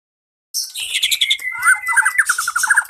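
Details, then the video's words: White-rumped shama song with lots of mimicked 'isian' phrases, kept going non-stop as a lure to get stuck birds singing: dense rapid chirps and trills, a long steady whistle, then fast repeated notes, loud and continuous after a brief silence. "Suara burung murai isian bnyak macul terus cocok buat pancingan burung yang macet"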